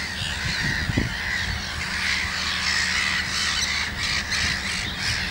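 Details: A common tern with chicks only a few days old, in Gothenburg's archipelago, gives harsh, grating calls that run together almost without a break, over a low rumble of wind.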